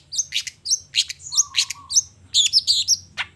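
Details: Long-tailed shrike singing energetically in the morning, showing off its repertoire: a quick run of harsh, scratchy high notes mixed with short whistled slurs, a brief steady low hum underneath partway through.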